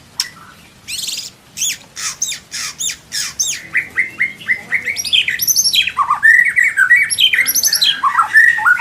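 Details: A white-rumped shama from Indonesia sings a tutor song with rich, luxurious fill phrases. Harsh squawky notes repeat rapidly, then give way to a fast run of varied, ringing whistles with rising and falling slurs.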